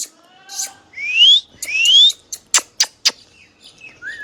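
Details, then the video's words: Hand-tame pet green ringneck parrot producing two long, bright rising whistles, then a quick run of four sharp clicking notes and a final short upward whistle. "Hand tame Parrot Talking video | Mithu Tote Ki Awaaz"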